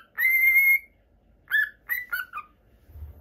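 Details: Captive normal lutino cockatiel kept as a pet in Japan gives one long, level whistle, then a quick series of three or four shorter chirping notes that dip in pitch, followed by quiet.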